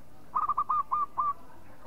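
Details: Local zebra dove giving a quick phrase of about six short, hooked cooing notes, the first ones stuttered close together and the last three spaced and slightly drawn out, over quiet background hiss.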